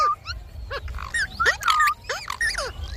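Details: A pet Indian ringneck (rose-ringed) parakeet talks in quick, nasal, speech-like syllables with sliding pitch, several short phrases in a row, over a faint low rumble.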